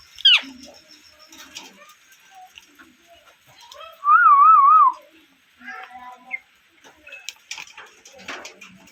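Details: Natural parrot calling indoors: a sharp falling squeak, scattered soft chirps and clicks, then a loud wavering warbled whistle of about a second, followed by quieter trills and rustling.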